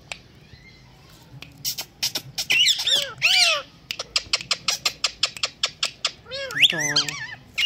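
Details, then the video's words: Pet Indian green ringneck parrot, known for talking, meowing and whistling; loud arching squawks and warbles sit among steady sharp clicks, with a final descending harmonic cry. "Indian Green Ringneck Talking Parrot talking good || mitho put,meow,Dancing and wistling very well"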